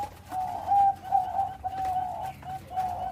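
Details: Bangkok-type zebra dove in loud song: a series of steady, level coo notes with brief gaps, the middle ones strongest, fading at the close.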